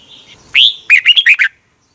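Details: Thai red-whiskered bulbul singing, a clip for stimulating caged birds: a rising whistled upslur followed by five quick, chirpy, bouncing notes in a tight burst.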